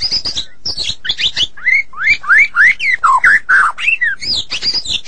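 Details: Energetic song of a White-rumped shama, Medan variety: a rapid string of rising and falling whistled notes mixed with harsh chattering, each note different from the last.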